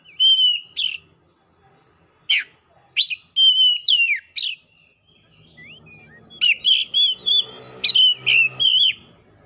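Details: Oriental magpie-robin repeating clear whistles that end in sharp upward flicks, then a faster run of paired notes over a low background hum.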